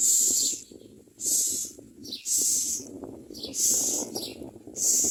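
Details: Common myna nestlings scream for food during feeding, giving harsh, hissing shrieks roughly once a second, five bursts in all, with low shuffling noise beneath.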